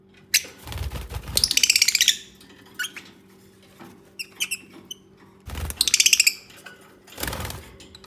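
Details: Nesting lovebirds making soft communicating sounds: two bursts of rapid, rattling squeaky chatter, each about half a second long, separated by isolated high tweets, with thuds and a faint background hum.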